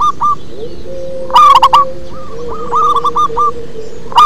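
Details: Bass-toned local zebra dove song: a loud burst of quick coos followed by a long series of softer, evenly spaced coo notes, with a faint low humming tone underneath.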